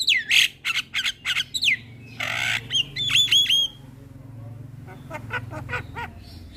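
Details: Morning Javan myna song for training young birds: falling whistles and sharp chirps, a loud harsh buzzy burst, a row of short whistled notes, then softer scattered chirps.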